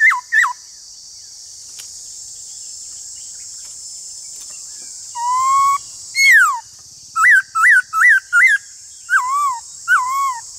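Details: Black-throated laughingthrush singing in a song duel with a wild laughingthrush, giving loud, slurred whistles in short bursts, some quick rising-falling notes in rapid series, over a steady high hiss.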